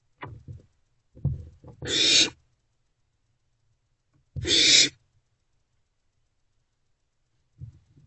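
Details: Wild owlets, a trio of them in a nest box, recorded on 13 April 2024 in the morning hours; two separate harsh, breathy hissing screeches about two seconds apart, with soft low rustling and knocks in between.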